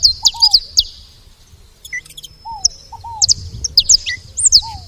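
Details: Saffron finches making noise at a feeder, uttering clusters of steeply falling high chirps separated by pauses, while soft descending whistles sound beneath them.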